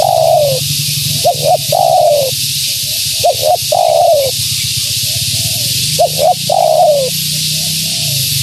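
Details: Spotted dove hen calling persistently to draw in wild doves. Phrases of paired short hiccup notes lead into drawn-out descending coos, repeated about every two seconds over constant hiss and a low droning hum.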